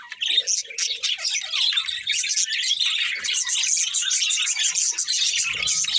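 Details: Pet budgerigars chatter and chirp, a crowded mix of high warbles, squeaky notes and rapid tweets running throughout.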